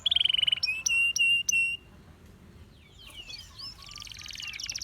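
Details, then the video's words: Gloster canary singing: a high steady whistled note, then three loud sustained buzzy tones, followed by softer fast chattering and a quiet high trill toward the end. "The Most Powerfull Gloster Canary Singing"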